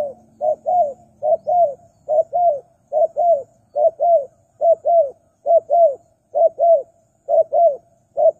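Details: Spotted dove used as a lure for wild doves: low cooing notes in close pairs, repeated steadily about every half second with brief gaps, over a faint low hum.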